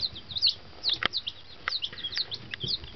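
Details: Newly hatched fancy chickens, one day old and just delivered to a henhouse, give high, thin cheeping calls in loose clusters. A few sharp clicks or taps are also heard.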